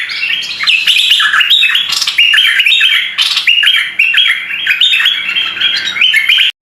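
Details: Red-eyed bulbul delivering a lively, continuous warble of short, stepped chirping phrases for about six seconds, close and loud, with brief pauses between bursts.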